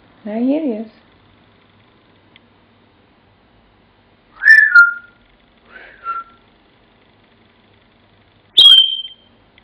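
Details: Captive African grey parrot whistling Pop Goes the Weasel: a low, wavering, voice-like phrase, then after a pause two short falling whistles, and finally one sharp, high, sustained whistle.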